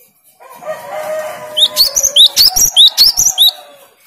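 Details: After a low, harmonic crowing-like sound, a cinereous tit breaks in with its challenging 'tembakan' song: around eight bright upslurred whistles repeated rapidly, each sharp and high.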